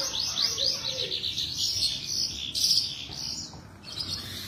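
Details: Javan bush lark singing energetically: dense, high, buzzy warbling with rapid slurred notes and short bursts, continuous throughout with a few brief louder phrases.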